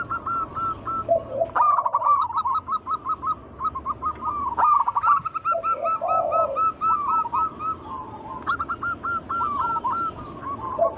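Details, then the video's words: Zebra doves, local wild birds, singing as a lure for other doves: continuous strings of rapid rolling coos, repeated in phrases every few seconds, with lower muffled coos mixed in. "Pancingan burung perkutut lokal alam gacor suara mengundang bunyi langsung emosi"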